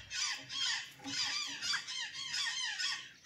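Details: Azure jay at Santa Catarina, feeding on banana and sweet potatoes, giving a rapid string of harsh, squeaky calls that run together with little pause, each with a short downward-sliding lower note.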